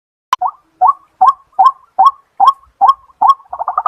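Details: White-breasted waterhen, locally called kuro-wakwak, played through a Bluetooth speaker: short clipped notes repeated about two and a half times per second, each dipping then rising, ending in a quicker stuttering run.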